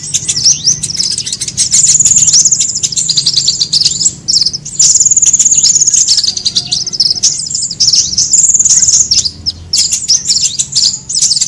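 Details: Sunbird lure sound, used by trappers to draw birds together and to tutor caged songbirds: high thin chirps with long, even, buzzy trills repeated in bursts, and short quiet gaps between bursts.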